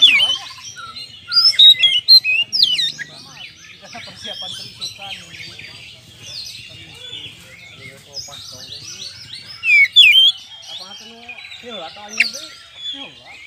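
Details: Oriental magpie-robin in full song, used to provoke other birds into fighting: a rich, varied stream of whistles, slurred notes and rapid chattering phrases, with louder bursts near the start and around ten seconds.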